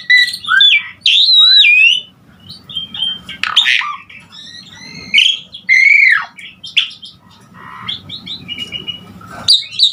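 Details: Varied Asian pied starling song, used to train other songbirds: looping whistles, sliding slurs and harsh squawks are mixed with gaps of quiet.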